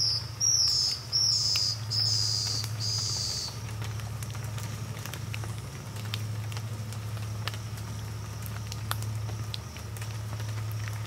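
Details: Scaled Antbird in wet, dark Atlantic Rainforest in Brazil gives a few very high, thin, slightly buzzy notes in the first three seconds, then falls quiet over a steady low hum.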